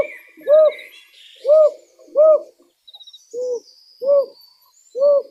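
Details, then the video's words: Owl in the wild giving six arched, mid-pitched hoots, spaced about one second apart, with a brief soft rattle midway and faint higher bird chirps in the background. "Як звучить сова в дикій природі"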